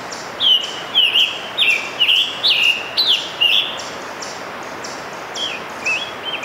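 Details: A Scarlet Tanager sings a quick run of hoarse, burry phrases, about six in three seconds, then a few softer ones, over a faint pulsing high buzz; Letchworth State Park, New York, 3 June 2015.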